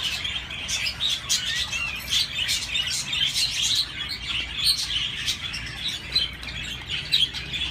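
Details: Several budgerigars chirp together in a continuous, lively warble of high squeaky notes, clicks and buzzy trills, with brief louder chirps scattered through.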